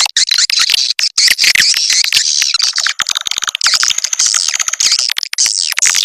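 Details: Swiftlet lure call of the SP. Âm Ngoài Vĩnh Châu type, played to call swiftlets: unbroken stream of high, shrill twittering and chirps layered together, with rapid clicks throughout and no other sounds.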